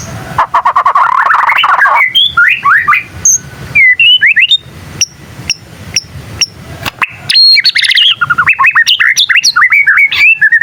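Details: Young white-rumped shama practising song, said to prompt other shamas to reply: a dense chattering burst, then widely spaced rising whistles and clicks, and finally a lively stream of varied upslurred whistled notes.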